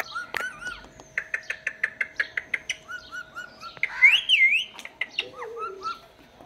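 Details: A pet talking parrot chattering indoors: a rapid series of short chirps and clicks, then a louder wavering whistled phrase and a low nasal note near the end, over a faint constant hum.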